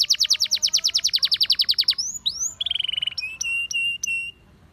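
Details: Canary song calling other canaries to sing: a rapid even trill of repeated notes, two rising whistles, a fast buzzy series, then long steady whistled tones separated by short gaps, over faint background hiss.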